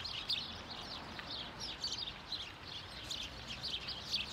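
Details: House sparrows in numbers calling in Hedbergska park, Sundsvall, on 26 November 2023; rapid overlapping chirps, some sharper and louder, form a steady chattering chorus.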